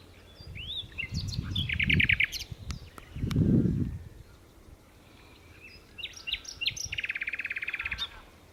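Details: Common nightingale at Berkheide in the Netherlands, 29 April 2018, delivering rapid trilled phrases: a buzzy stuttering rattle, a pause, then varied sharp notes running into a long, fast, even trill, with low rumbling thumps of wind or handling between.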